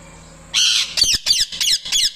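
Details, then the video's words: Calling the male parrot, a pet parrot gives a rasping squawk followed by four rapid harsh chirps, evenly spaced about a quarter second apart. "Parrot Chirping Loud | Chirping Sounds | Parrot Calling"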